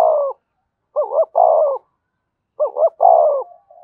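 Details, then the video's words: Spotted dove acting as a decoy to rouse trapped wild doves. It gives two clear phrases, each two quick rising hoots and a long burry downslurred coo, about 1.6 seconds apart, with a faint soft tone at the end. "Tiếng chim cu gáy kích bổi nhanh nổi, cu gáy mồi luyện bổi thúc sung nhất hiện nay"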